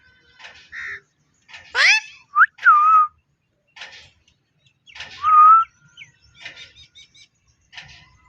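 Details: Parrot mimicking speech with a series of tonal, word-like syllables: a loud harsh sweep, then smooth bending notes and a later clear rising-falling note, with quieter clicks and chatter between.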